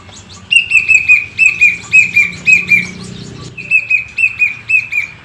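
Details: Captive plaintive cuckoo whistling two phrases of clear, mournful notes. Each phrase has about five notes that descend gently, with a brief gap between the two phrases and faint background murmur.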